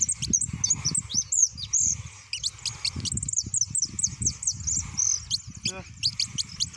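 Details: A hooded siskin (Argentine "jilguero") sings a fast, continuous run of high, thin twitters and sharp rising and falling notes, over low rumbling background noise.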